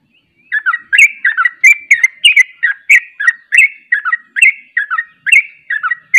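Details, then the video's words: Trucuk, the sooty-headed bulbul, in full 'ropel' song, with other bulbuls joining: a fast, unbroken string of bright, bubbly whistled notes, several each second, rising and falling steadily for six seconds. "Ropelanya Bikin KAGET Trucuk Lain Ikut Ropel"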